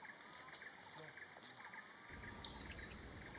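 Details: Vernal hanging parrot at Kaeng Krachan National Park, Thailand, during pairing and egg-laying. Near the end comes a single loud, piercing high double note, "si-sip", against faint forest background.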